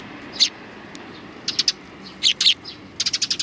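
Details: Several sparrows come in to be fed on the Tenmangu shrine approach, 29 May 2020. Bright, high chirps arrive in clusters, ending in a quick run of five or six notes, with brief wing flutters.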